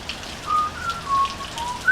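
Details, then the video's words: Pure, flute-like whistles from a butcherbird on a veranda: a level note, a lower held tone, then a rising note at the end, heard over a steady rain-like hiss. "Butcher Bird singing on our veranda"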